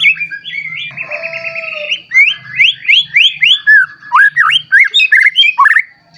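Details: White-rumped shama singing to set off other shamas, holding a long trilled whistle before a fast series of rising and falling slurred whistles, with a faint low hum underneath.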